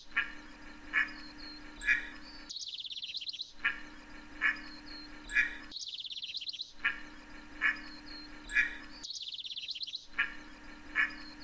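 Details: Scaly-sided Merganser (Chinese Merganser, Mergus squamatus): short, harsh, nasal call notes repeat about once a second over a low steady hum, while another bird's high, descending twittering trill breaks in every few seconds.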